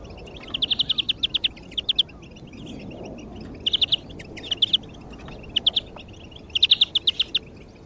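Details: Greenfinch singing as a lure for other birds: a longer opening trill, then shorter rapid clusters of high, even notes separated by brief pauses, with faint low background noise throughout.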